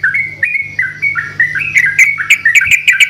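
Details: Yellow-vented bulbul, several birds answering each other in vigorous, chatty lure song: bubbly whistled phrases of short rising and falling notes, getting denser and more clipped toward the end, over a steady low hum.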